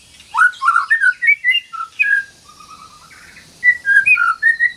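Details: White-rumped shama song used as training material for shamas that have stopped singing: a fast run of clear whistled notes, rising then falling, with a quieter middle section and a burst of sweet whistles at the end.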